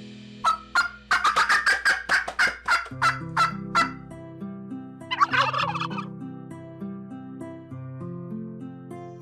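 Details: Turkey (Meleagris gallopavo), gobble.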